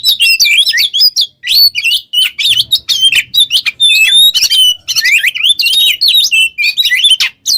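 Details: Oriental magpie-robin (kacer) singing gacor in the ngobra teler style, used as a master lure for training other songbirds: loud, rapid bursts of whistled, rising and falling notes mixed with harsh chattering phrases, broken by brief pauses.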